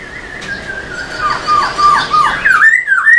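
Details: Tail-dancing Black-throated laughingthrush giving a long steady whistle that drops in pitch, then rapid dipping whistled notes and a final rising, wavering phrase.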